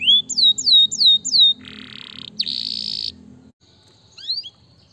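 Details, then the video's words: Canary song: four loud downward-sweeping whistles in quick succession, then a harsh buzzy rolling section of sustained rapid notes, a short silence and a final rising whistle, with a low hum in the background. "ini baru Kenari mantul bukan kaleng kaleng"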